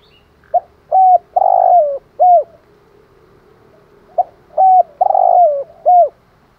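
A spotted dove gives two matching phrases of low, mellow coos, a short note then three hooting ones with a longer middle coo, with a quiet background.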